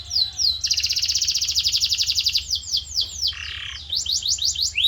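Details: Canary song used as masteran training audio: sweeping whistles, a long rapid rolling trill, slower downslurred notes, a short lower buzz, then rising chirped phrases.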